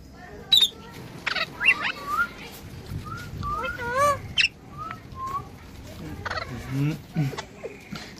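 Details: A talking parrot gives a busy run of short whistles, chirps and warbled, wavering notes, some clicks and a few low nasal sounds, with quiet gaps between bursts, over faint background noise.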